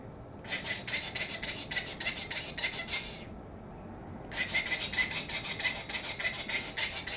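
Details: Pet male cockatiel, excited at being shown checks, whistling and repeating its name rapidly: two bursts of fast, harsh, evenly spaced high chirps, the first about three seconds long, a pause, then a second burst of similar length.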